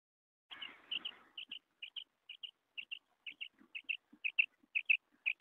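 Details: Common quail (bater) uttering quick paired high notes in a regular run, roughly two pairs per second, after a brief burst of rustling noise at the start.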